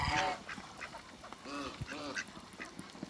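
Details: Backyard Muscovy duck couple playing in water; a sharp call opens, followed by two hoarse, nasal, harmonic calls a half second apart over light splashing.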